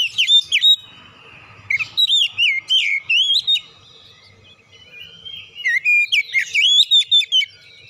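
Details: Lure song of an oriental magpie-robin meant to make birds sing: strings of looping whistled notes and sharp chips in two long bursts with a quiet gap between them.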